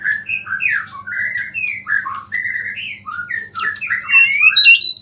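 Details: A white-rumped shama sings vigorously with mimicked small-bird phrases, a song said to rile other shamas. It pours out a fast run of varied whistled and slurred notes, about four per second, over a constant high buzz and low hum.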